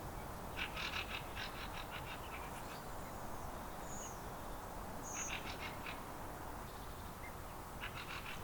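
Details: Eurasian nutcracker calling in a cemetery in Finland during September 2023. Several series of coarse, grating notes are heard, with short thin whistles high above and a constant low hiss.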